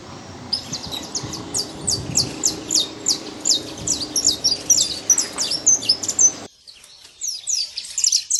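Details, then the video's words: Free wild saffron finch giving steady, quick, high chirps in long sequences over a soft background hum that drops away near the end. "Canário da terra livre na natureza"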